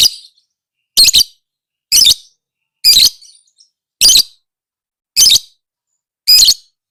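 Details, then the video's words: Training recording of a lovebird: loud, sharp, high-pitched chirps repeated roughly once a second, seven in a row, each short and harsh, with quiet gaps. "Suara Burung LoveBird~for~ Masteran(biar gacor)"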